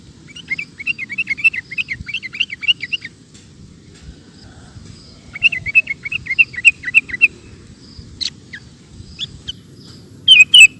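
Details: Sooty-headed bulbul singing vigorously in 'ropel' style: two long runs of evenly spaced quick chirps, about three seconds and two seconds each, separated by scattered high chips, ending with a loud sharp burst.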